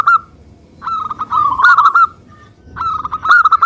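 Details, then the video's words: Local zebra dove singing strongly, a song used to provoke other doves into singing: a brief coo, then a longer rolling phrase of quick notes that rises in strength, a pause, and another rapid cooing phrase. "Perkutut Lokal Suara Gacor - Untuk Pancingan"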